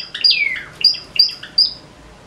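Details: Java sparrow (Padda oryzivora), pet bird in the morning, sings: a high chirp sliding downward, then three bright, clipped chirps about half a second apart.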